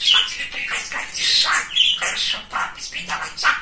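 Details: Chatty pet male budgerigar talking: a dense run of scratchy, high speech-like syllables and bright whistled notes, delivered almost without pause.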